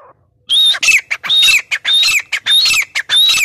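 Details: Grey francolin giving a fast series of loud, grating notes. Each has a thin whistled rise on top, packed closely with barely a gap for about three seconds.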